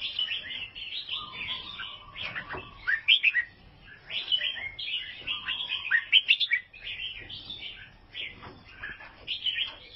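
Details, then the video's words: Sooty-headed bulbul, albino, from Vietnam, sings bright, bubbly whistled phrases in quick bursts every few seconds, with a faint low hum underneath. "KICAUAN BURUNG KUTILANG ALBINO"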